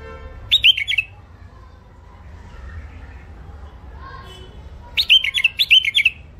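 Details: A thick-throated first-isolation hybrid finch (mule) sings two bursts of rapid sharp chirps and rolling trills, the second longer, with a quiet gap of hum between.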